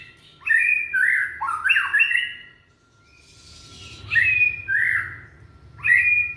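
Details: Young white-rumped shama from Indonesia singing, used as a lure to get silent shamas to sing: loud whistled phrases of sweeping, slurred notes in bursts with short pauses, a faint steady tone underneath.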